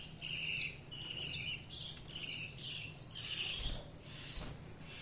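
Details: Several budgerigars chirping: a dense stream of bright, high, overlapping twittering chirps and short warbled notes that come in bursts and fade toward the end, over a low steady background hum.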